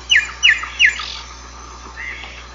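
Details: Song of the giant cowbird, known as xexéu bico de osso. Three loud, shrill, downward-slurred squeaks come in rapid succession, then a faint thin whistle, over constant background hiss.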